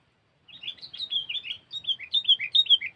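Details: Sooty-headed bulbul (kutilang) singing cengkeram style as a lure: a steady stream of bubbly, rising and falling whistled notes, growing louder and richer over two seconds.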